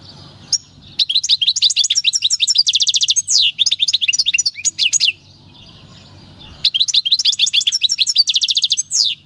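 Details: European goldfinch, wild-caught in 2018 at El Paso, delivering its natural field song in two long bursts of dense, liquid twittering and fast repeated tinkling notes, with a short gap between.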